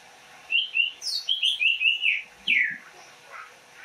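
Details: ['Greater green leafbird from Banyuwangi delivers a string of fluty, rolling whistles, several linked in a quick chain, followed by a louder descending slur and softer trailing notes over faint hiss.']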